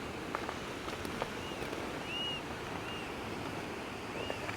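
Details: Black Oystercatchers on the shore at Mission Point, British Columbia, on an April 29 morning give thin, high, slightly arched whistled notes, about four spaced across a few seconds, over a steady hiss of surf and wind.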